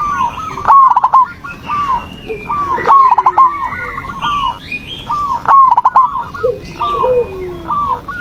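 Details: Zebra dove song played as a lure to provoke a silent dove into singing: repeated staccato cooing phrases with sharp clicks, overlapping phrases from more than one dove, and thin whistles from other small birds.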